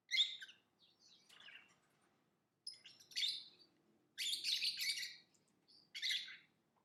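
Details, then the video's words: Lovebird singing and chirping, with shrill, buzzy chirps at irregular intervals, softer notes between, and a loud rasping burst near the middle before a final sharp chirp. "Lovebird Singing & Chirping Sounds"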